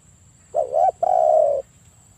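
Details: Spotted dove calling to lure other doves, 'kuk 1' style: a wavering two-part low coo, a tiny gap, then one long steady purring coo.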